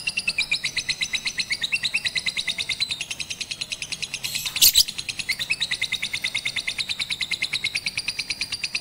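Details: Batman lovebird sings on a roof while being trained with a master recording, April 2021 during Ramadan; continuous rapid, evenly pulsed high chirps, about three a second, with one short loud rasp midway.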